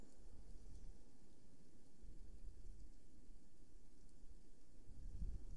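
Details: Steady low rumble of wind or distant traffic fills the recording, with no animal voice heard.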